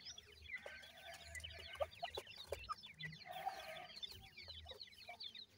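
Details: A crowd of grey francolin chicks calling with quick, high, falling cheeps, continuous and overlapping, over a faint low rumble and a few clicks.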